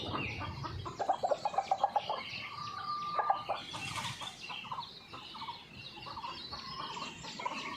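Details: Red junglefowl, lively on a morning after a storm and recorded by a hidden camera. A fast burst of loud, pulsed clucks comes near the start, then softer chuckling notes among other birds' chirps and a brief rustle.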